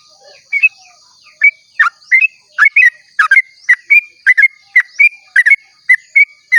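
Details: Sooty-headed bulbul at dawn singing a long rapid song, meant to trigger other bulbuls into song; bright chirpy whistles, rising and falling, in close pairs and singles, growing denser after a quiet start.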